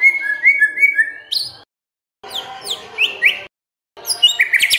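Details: White-rumped shama singing as a lure to make quiet birds answer: rising and falling whistles, then bursts of sharp high upswept notes, broken by two abrupt silent gaps.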